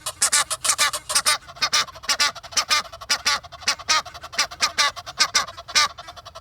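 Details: Rainy-day Egyptian geese at Kensington Gardens, London, two on the ground and two up a tree calling together: a dense run of loud, raspy, nasal honks repeated rapidly in uneven bursts, filling the clip.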